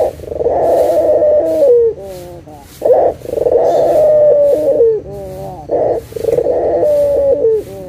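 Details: Local puter dove call meant to prompt silent doves to sing again: three phrases, each a brief burst followed by a long vibrating coo that drops at the close, about every three seconds.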